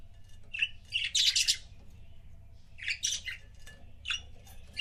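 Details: Captive budgie couple chattering with a mix of sharp chirps and scratchy, squawky warbled bursts in irregular groups, against a faint constant low hum.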